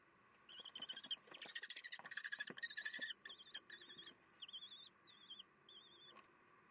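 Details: Common kestrels at a nest on 22 June 2021 at 9:30, the last nestling training as siblings and parents encourage it. A rapid, harsh chattering run gives way to a series of high, quavering whistled calls repeated about every half second.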